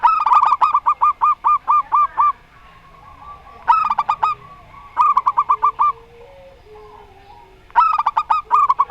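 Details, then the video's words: Repeated phrases of rapid, rolling coos from zebra doves, a local Rondo Semoyo singer set against an unusual-voiced bird. Four bursts of eight to ten notes each are separated by pauses, with soft gliding notes faintly between them. "Perkutut Lokal Rondo Semoyo VS Perkutut Suara Aneh"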